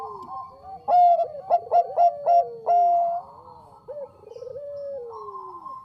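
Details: Perkutut bangkok (zebra dove) singing as a lure: loud staccato coo bursts with a held final note, followed by a long gliding descending coo.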